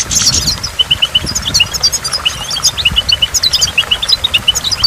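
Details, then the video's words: Goldfinch song by a waterfall: bright, quick, high chirped notes come in short runs and repeated pairs, with a constant low water roar underneath. "in the waterfall stimulates goldfinch and water drops"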